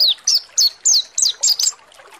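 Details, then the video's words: Mountain white-eye song played to stir birds into singing, a pleci monty lure: short bursts of high, falling whistled notes in quick pairs and triplets, slowing and fading toward the end. "PANCINGAN PLECI MONTY NGALAS BUKA PARUH || PANCINGAN PLECI MONTY AGAR EMOSI || PLECI MONTY NGALAS"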